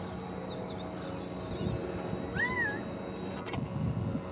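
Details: From a mesquite treetop in Red Mountain Park, Mesa, Arizona, a Gambel's quail gives one short, arched, nasal note partly masked by rustling and a constant hum.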